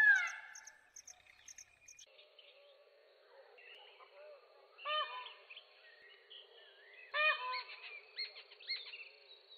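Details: Peacock giving sharp, abrupt cries, said to be heard before thunderstorms or rain. A harsh wail opens, and two more loud nasal bursts come later amid a busy chorus of chirping and twittering smaller birds.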